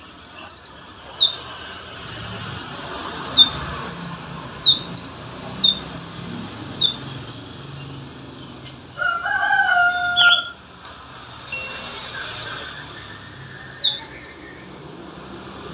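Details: Olive-backed sunbird song offered for training other songbirds: short, sharp, high chirps with quick downward flicks, repeated about every 0.7 seconds, with brief trilled bursts. A lower crowing sound briefly cuts in near the middle.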